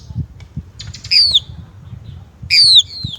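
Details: Chinese blackbird: two bright, downward-slurred whistled phrases about one and a half seconds apart, with soft thumps and low noise beneath.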